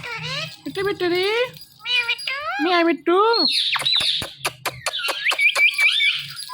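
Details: Talking pet Indian ringneck parakeet chattering speech-like syllables in rapid bursts, then sharp clicks and high squeaky twittering notes, indoors.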